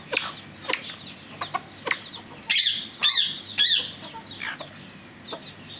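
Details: Fireback pheasant calls: three loud, strident notes with a rise-and-fall shape spaced roughly half a second apart, after scattered sharp clicks and a dense background of other bird chatter.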